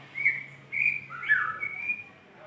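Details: White-rumped shama calling a female with clear whistled notes, long level whistles and a lower slurred phrase, over background hum.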